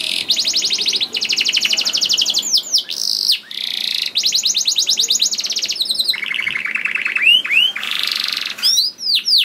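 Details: Gacor canary song played to trigger other canaries into singing. Long rolling trills of rapid repeated notes are broken by bright downward slurs, with a run of upslurred notes near the end. The singing is continuous.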